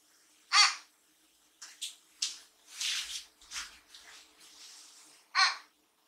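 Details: Pet common hill myna indoors giving its fairly subdued natural voice: a loose series of about eight short, hoarse, raspy calls spread over six seconds, some clipped and some drawn-out, with the owner's voice just before in a small room.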